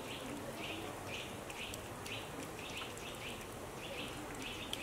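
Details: Eurasian blue tit (Cyanistes caeruleus) in the Algarve, Portugal, where it is resident and breeds, giving short, slightly buzzy mid-pitched notes, often in pairs, about two per second, over a steady background hiss.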